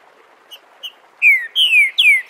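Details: Crystalline "Bom dia seu Chico liso" dialect song of a green-winged saltator, recorded live for tutoring young birds: two soft brief notes, then three strong descending whistles in quick succession, with a fourth beginning at the end.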